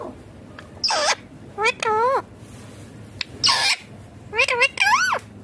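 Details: A green ringneck parrot chatters during feeding, with rising-and-falling wavy harmonic phrases, two harsh noisy screeches, and a closing run of quick warbled notes.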